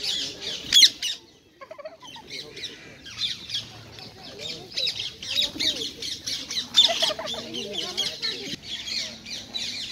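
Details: Rose-ringed parakeets, wild in Hyde Park, London, gathering for a meal of sunflower seeds, nuts and apples: loud, raspy squawks come in irregular clusters, with a short quiet gap near the start.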